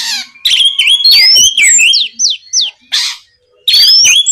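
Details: Lively kacer song meant to goad a rival Oriental magpie-robin into answering. Bright upslurred and downslurred whistles sit between rough, noisy bursts, with a faint low hum underneath.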